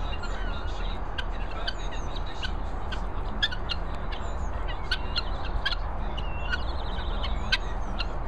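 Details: Hungry guinea fowl calling: a busy stream of short, harsh, clicking and chattering notes repeated rapidly with several overlapping, some brief squeaky tones, over a constant low rumble of wind.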